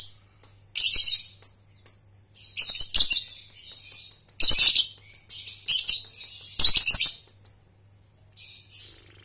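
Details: Lovebird, young Balibu/paud bird learning ngekek with tight pauses, used as a lure for training young birds; four loud bursts of dense shrill chattering, each followed by a thin sustained whistle, repeated roughly every two seconds.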